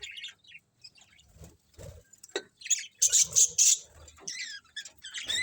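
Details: Colourful colony budgies chirp sparsely at first, then break into loud, harsh repeated squawking chirps and twittering warbles in the second half.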